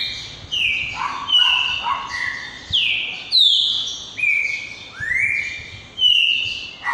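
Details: Green-winged saltator with a repeating song: phrases of bright whistled notes, falling slurs and a long rising whistle, each phrase starting loud and fading, repeated roughly every second.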